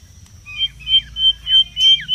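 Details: Mangrove whistler singing in the wild, used as a lure and tutor recording: clear sustained whistles broken by short downward slurs, four loud phrases about every third of a second, with a low background hum.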